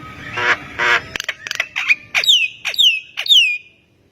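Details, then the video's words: Javan myna (jalak kebo) in full song, meant to get other mynas calling back: two rasping churrs, a burst of clicks and short notes, then three loud whistles each sweeping down and ending in a thin level tone. "JALAK KEBO GACOR BIKIN JALAK MALAS BUNYI IKUTAN NYAUT AUTO RESPON"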